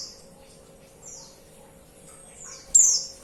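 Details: A female white-eye calls the male with faint, very high downward-sliding notes, then a single abrupt, loud, sharp chirp near the close; steady faint hum underneath.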